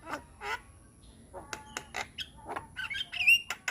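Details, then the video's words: Young Javan myna giving harsh nasal chatters and clicks, building to a squeaky high whistled phrase near the end. "Masteran Burung Jalak Muda - Jalak Kebo gacor Banyak Isian"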